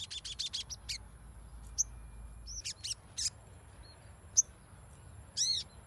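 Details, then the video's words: Sogon song meant as lure audio to make a silent bird sing: a quick stutter of high chirps opens, then scattered sharp single notes and a final arched burst over faint background hiss. "PANCINGAN SOGON MACET AGAR BUNYI"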